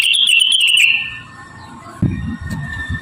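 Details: Javan cochoa song meant as a training model for rengganis and other birds. A bright, thin, sustained whistle with rapid high ticks lasts about one second, then fades and slurs lower. Thumps and low background noise follow.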